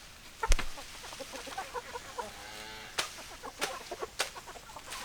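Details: A flock of chickens clucks steadily in short notes. One hen holds a longer, wavering, drawn-out call halfway through. A heavy thump comes early on, and sharp clicks follow later.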